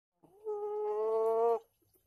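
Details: Rooster crowing: one steady, drawn-out harmonic note held for about a second, slightly rising, then ending abruptly, with a quiet background.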